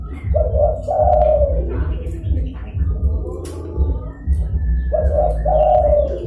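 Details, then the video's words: Zebra dove luring call meant to attract wild or rival doves: two rolling coo phrases, at the start and near the end, each beginning with a short note and running into a trilled roll, against low droning hum and light bird chirps. "DERKUKU GACOR (DERKUKU PIKAT)"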